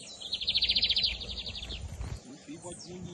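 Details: Bigodinho (lined seedeater) of the 2023 season, Camelão or Torneiro style: one quick rattling trill of about a second that fades away, followed by low murmuring and background noise.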